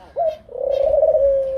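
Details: Laughing Dove, a bird living in Africa, giving its laugh-like song: one short low coo, then a long, soft, bubbling coo of rapid pulses at a steady low pitch, like a chuckle. No other sounds stand out.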